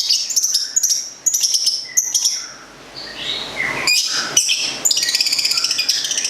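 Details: Long-tailed shrike, known locally as cendet or plentet, a local bird from Gedong Songo in Central Java, kept as a songbird. It sings shrill, rapid, high rattling trills with sliding whistles, and there is a brief quieter gap partway through.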